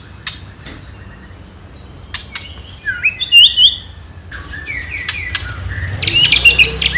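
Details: White-rumped shama song used to provoke rival birds: quiet clicks at first, then a bright looping whistled phrase, and dense high chatter at the end.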